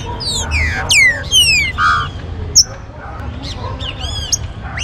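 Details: Green-winged saltator used to get captive birds singing: overlapping clear whistles sliding down in pitch, brief sharp high notes and a steady low background hum.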